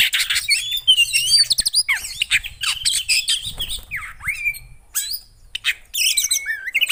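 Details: Javan white-eye song, a recording for prompting a caged bird that has gone silent: dense, high-pitched chattering and squeaky twitters, fast and continuous, with short gaps and quick rising and falling whistled notes.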